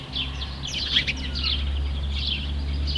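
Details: House sparrow (Passer domesticus), call.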